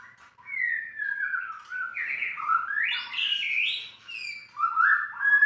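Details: White-rumped shama singing a rambling phrase of descending whistles, buzzy rising notes and rich fluty ends, loud and clear in a quiet setting.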